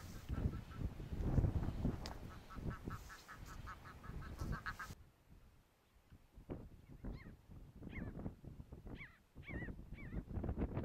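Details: Arctic skua giving nasal, wailing calls that bend up then down, repeated several times a second, over heavy low wind rumble, after an earlier run of stacked, honking notes; recorded on Shetland, UK, in July 2013.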